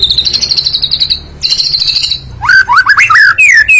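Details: White-rumped shama in full song: loud, fast, rippling high trills give way to varied slurred whistles that rise and fall in quick sequence.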